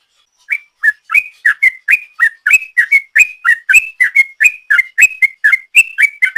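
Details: A long ropel song used as a lure, sung by a sooty-headed bulbul: after a moment of silence, steady rapid whistled notes begin, alternating lower downslurs and higher upslurs, about three per second; background silent.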